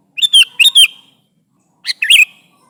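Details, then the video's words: Sooty-headed bulbul calling its companions with a fast, liquid four-note phrase, then after a pause a shorter, chattering answer. "Suara Burung Kutilang Gacor Memanggil Temannya"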